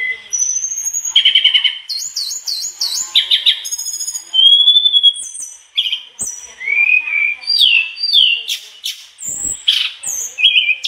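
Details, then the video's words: Long, lively performance by a mangrove blue flycatcher unloading its learned repertoire: rapid buzzy trills, sustained whistles, sharp chips and swooping slurs strung together almost without pause. "Tledekan bakau gacor bongkar isian"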